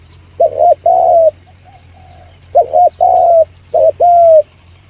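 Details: Spotted dove call meant to lure birds quickly: three loud phrases of a clipped double coo and a long mellow falling coo, with a few faint quieter coos between them and a low steady hum.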